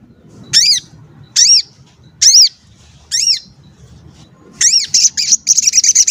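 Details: Lure recording of a calling sogon, meant to make other sogon call and get agitated. Four arched, high chirps come roughly one second apart, then a quick burst of rapid chattering notes.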